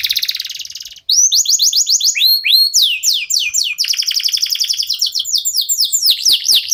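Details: Local canary song used to prompt other birds to sing; a dry rattling trill gives way to a long run of fast, repeated down-slurred whistles and chattering rolls, bright and high-pitched throughout.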